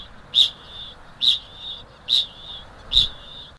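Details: Kakapo (Strigops habroptilus), ching call: male call to attract females.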